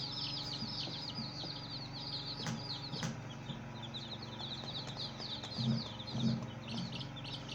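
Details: Baby chicks with a hen, peeping steadily: rapid high downward chirps from several chicks, a few sharp clicks, and two low soft clucks near the end, over a constant hum.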